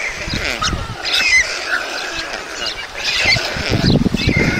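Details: Feeding time for two chicks at a white stork nest in Mladé Buky, Czech Republic, on 20 June 2022; two clusters of quavering, harmonic calls separated by a quieter gap, with low knocking sounds.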